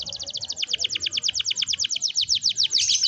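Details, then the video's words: Rolling canary trill used as a lure to get young canaries singing: a brisk, steady train of short high notes, roughly seven per second, ending in a brief buzzy burst. "kenari gacor ngerol panjang ini 100% ampuh buat PANCINGAN KENARI paud belajar bunyi/malas bunyi"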